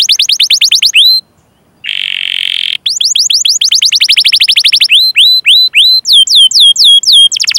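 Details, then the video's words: Canary singing long cuit-cuit rolls to prompt other canaries into song: fast trains of high downward chirps, a brief pause, a buzzy steady trill, then more rolls whose notes grow hooked and slightly slower. "Suara Burung Kenari Gacor Panjang cuit cuit Ngerol untuk Pancingan Kenari!"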